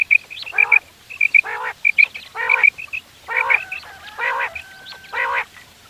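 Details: Morning hunting call of quail: paired whistled pips, each pair followed by a buzzy nasal burst, repeating at a quick pace. Later bursts grow longer and merge, with a thin steady tone between two of them.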